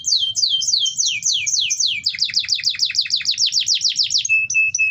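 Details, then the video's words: Canary song used to encourage other canaries to sing: rolling trills of quick descending notes, speeding up midway into a denser run, ending with a few short level whistled notes. "pancingan kenari ampuh wit wit werrr ngerol"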